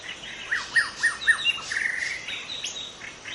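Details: White-rumped shama from forest, original song to lure rival shamas: three crisp descending whistles, then a buzzy sustained note and scattered chirps.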